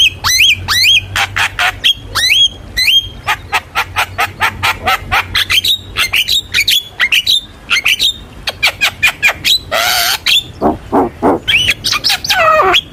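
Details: Javan myna song played to coax young birds into singing, a dense run of rapid clicks and squeaky rising whistles, broken near the middle by a harsh noisy rasp, then more chattering whistled notes.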